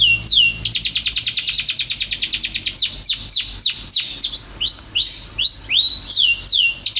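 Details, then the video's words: Champion canary with lively, unbroken song: a dense fast trill of repeated notes, then slower falling sweeps and short looping whistles, loud and clear. "Burung Kenari Juara Gacor"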